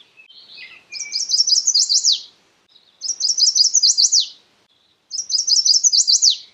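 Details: Chestnut-sided warbler repeating its song three times, each a quick series of bright, high, slurred notes ending in an emphatic down-swept note. Soft twittering comes before the first phrase.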